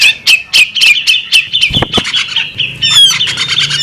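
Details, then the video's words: Female bearded magpie robin giving rapid, repeated squawky chirps at a fast uneven pace, ending in a run of bright whistled slurred notes, with a constant high ringing tone beneath. "the alluring sound of a female bearded magpie robin"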